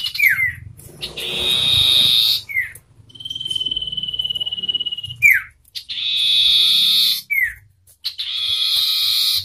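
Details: Common iora contest, forest-caught bird against a hand-raised one, counter-singing: harsh buzzy bursts alternate with down-slurred whistles and a long flat whistle, with faint low rumbling behind.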